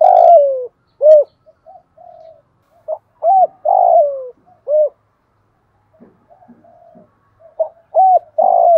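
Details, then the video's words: Decoy spotted dove with a thổ bầu voice style, used to make wild doves coo quickly and come in: low, mellow coos, short arched notes and longer drawn-out coos sliding downward, in two bursts separated by a pause, with a quiet background. "Chim Cu Mồi, cu gay kich boi nhanh noi gù, giúp bổi gáy nhanh và về cội"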